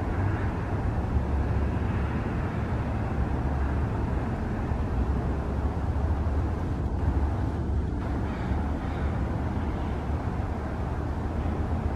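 Steady low engine-like rumble of passing traffic or machinery throughout, with no animal calls heard.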